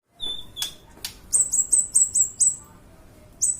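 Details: Kolibri ninja (sunbird) song for training other birds: a few sharp ticks, then a fast series of six high, slightly falling whistled notes, and one more after a pause.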